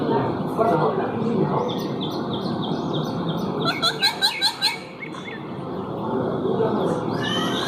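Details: A ringneck (rose-ringed) parakeet talking to a mirror chatters in speech-like mumbles, then gives a quick run of five sharp, harsh chirps near the middle, over a steady indoor hum.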